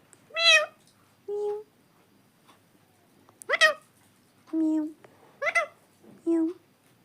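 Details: Pet parrot indoors, talking and saying "mummy": six separate voiced calls alternating between bright, rich harmonic bursts and lower steady hooting tones, spaced about a second apart in an otherwise quiet room.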